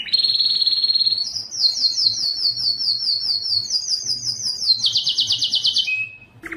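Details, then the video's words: Strong canary song meant to spur males to sing: a long steady high trill followed by rapid repeated buzzy phrases stepping between pitches, ending on a lower held note, clean and loud with no other sounds. "مجموعة صوت الكناري لتحفيز الذكر على التغريد"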